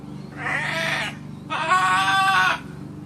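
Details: Macaw parrot laughing and talking while calling out to Grandpa: two loud, harsh, richly harmonic squawks, the second longer and steadier, over a constant low indoor hum.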